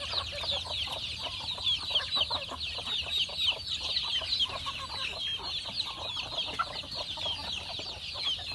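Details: Farm chickens being fed: a dense, continuous chorus of high, overlapping chirps and peeps from many birds, with quick rhythmic pulses and a few softer, lower clucks underneath, steady throughout.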